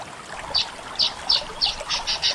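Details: Weaver from Indonesia giving sharp, high chirps in separate bursts, about one every third of a second, over a faint hiss.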